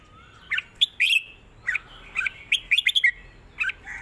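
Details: Clear southern-style song from a red-whiskered bulbul, with bubbly whistled notes in short groups, a rapid chattering triplet near the middle and slurred warbles at the end.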